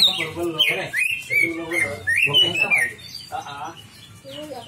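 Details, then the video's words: Greater green leafbird singing a varied song of loud whistled slurs and rising and falling notes, with buzzy harmonic phrases in between and irregular pauses; a busy, medley-like delivery. "pancingan c,ijo bongkar isian"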